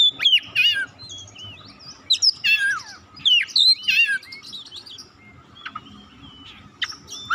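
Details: Varied white-rumped shama song for stimulating other birds to sing: loud tumbling whistled and warbled phrases in quick bursts, then quieter scattered chips, over a low constant hum.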